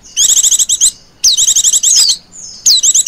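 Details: Lure recording of a female Oriental white-eye chirring ('ngecir'): three bursts of fast, high, evenly repeated notes, one opening with a downslurred whistle.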